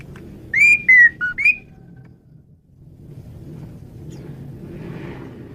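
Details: Male Asian pied starling, varied song used for luring birds: four clear whistled notes, rising and falling, delivered quickly, over steady low traffic-like rumble.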